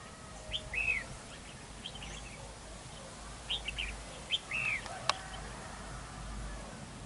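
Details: Decoy red-whiskered bulbul at a trap during a territorial fight, two meters away, singing arched whistled phrases in two groups, with a loud click between them.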